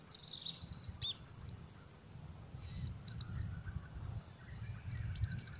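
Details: Solo blue-crowned hanging parrot kept as a lure for trapping: sharp, very high staccato chirps and trills in short clusters, with a faint level whistle in places and a low rumbling background.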